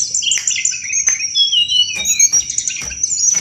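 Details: Sunda robin, lively chattering 'cetrekan' singing used as thrush bait; dense run of sharp chips, twitters and downslurred whistles, broken by a few clicks, over a continuous shrill hum.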